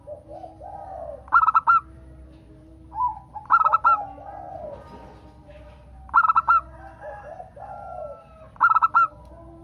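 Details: Song of a local zebra dove, used to coax other doves into singing. Four loud clipped, stuttering phrases, about every two and a half seconds, alternate with softer, lower cooing.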